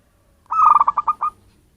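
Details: A native wild zebra dove, not a bred bird, calling as a bird-catching lure: a single brief phrase, a steady note dissolving into about six rapid, bubbling coo pulses.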